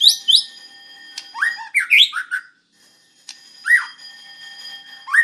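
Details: Murai batu, the white-rumped shama, in a WIKPLONG-style master recording: scattered sweeping whistles rising and falling, separated by pauses, over a faint steady high-pitched tone and occasional clicks.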